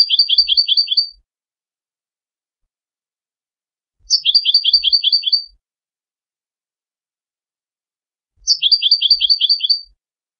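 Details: Three matching short bursts of goldfinch song, each a rapid high twittering trill about one second long, repeated roughly every four seconds, with faint low taps in between.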